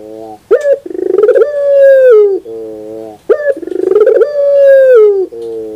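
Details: Puter pelung dove cooing in the morning: two long phrases about three seconds apart, each a sharp opening note, then a rolling pulsed coo flowing into a long, low, steady drawn-out hum that falls slightly at the end.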